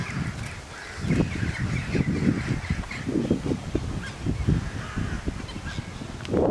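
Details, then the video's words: Magpie goose at Slimbridge: loud, low, coarse honks repeated steadily through the whole stretch, some in quick runs, with fainter bird calls higher up and a final louder honk at the end. "Magpie Goose"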